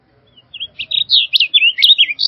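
A blue grosbeak sings a rapid, warbling run of rich notes that rise and fall in pitch for about two seconds, with nothing else clearly heard.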